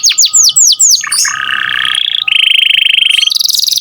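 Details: Canary singing in a loud, active style used as a master recording for training songbirds: a run of rapid downward-sweeping whistles, then long buzzy trills at steady pitch, the last one higher.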